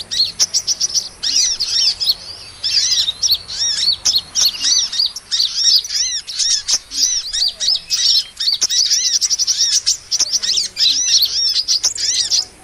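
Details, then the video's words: Hummingbird lure sound for trapping small birds: long stretches of dense, high-pitched twittering made of quick down-curving chirps and sharp clicks, with only short pauses between the bursts. "SUARA PIKAT MP3 BURUNG KOLIBRI"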